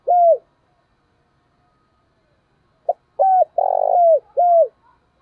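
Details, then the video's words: Spotted dove used as a decoy, calling in the thúc bổi and gáy gọi style: a single falling coo, a pause of about two and a half seconds, then a short note, a coo, a burry rolled note and a last drooping coo. "tiếng cu mồi thúc bổi và gáy gọi"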